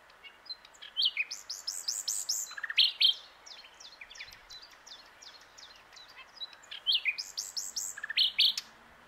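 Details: Singing nightingale on a branch beside the Plan d'eau du Breuil at Bourbon-Lancy, delivering loud, varied phrases of high slurred notes and sharp chirps in two bursts separated by quieter twittering.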